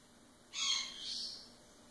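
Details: A female sun conure in Northern California foster care gives a harsh, raspy two-part utterance imitating speech, possibly "Okay" or "Blow Kiss"; the owner is unsure which.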